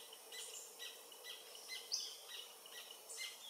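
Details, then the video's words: Adult Paradise Jacamar of the nominate subspecies, sex undetermined, singing in late morning near the Comte (Oyak) river, French Guiana, in November. High, thin notes come in a quick irregular series, with faint forest hiss behind. "Paradise Jacamar (Galbula dea dea) singing"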